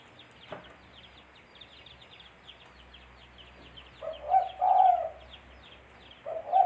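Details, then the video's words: Spotted dove calling as a trapping lure: after quiet seconds of high twittering from small birds, a low soft coo phrase with a drawn-out second note, then another beginning at the end. "Suara Burung Tekukur-Suara Tekukur Buat Pancingan Mikat"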